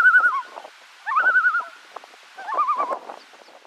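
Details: Loons on Bee Lake, Ontario, recorded June 22, 2018: three bouts of wavering, quavering tremolo calls, each a rapid warbling yodel lasting under a second, separated by brief pauses with faint background murmur.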